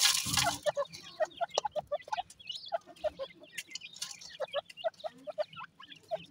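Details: Grey francolin chicks, locally called dakhni teetar, calling: a busy stream of short, high chirps and peeps in quick, irregular succession, opening with a brief loud scraping burst.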